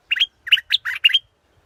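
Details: Five rapid, scratchy chirps, each with a buzzy twist, come from a scarlet-backed flowerpecker in just over one second, clear and close against silence.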